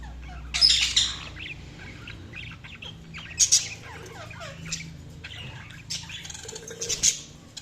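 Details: Budgerigar calling with a few sharp, loud squawks spaced several seconds apart, separated by soft, fast twittering and small warbled notes over a low background hum.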